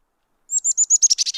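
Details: Black-capped Chickadee giving its learned chick-a-dee call, whose number of dee notes varies: four thin, high, clipped notes, then a run of rougher, buzzy dee notes, all in under a second.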